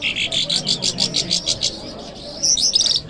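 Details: Lark song from Kabul city, Friday morning: a run of quick, evenly pulsed high notes that slows and fades, then a brighter burst of sharp rising chirps near the end.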